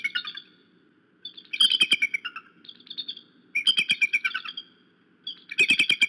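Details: Eagles calling in three bursts of high, piercing chittering notes, each burst a fast run of sharp yelps that slide down in pitch, with short quiet gaps between bursts and a faint low hum underneath.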